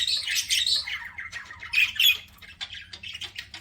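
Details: Budgerigars chirping as they eat, a rapid run of harsh warbling squawks followed by short clipped chirps, with the notes coming quickly and unevenly over a few seconds against a faint low hum.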